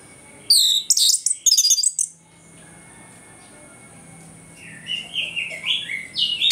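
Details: Orange-headed thrush singing ngeplong in the morning as an aggression lure; a short burst of very high, shrill notes, silence, then a soft rambling series of rising and falling whistles.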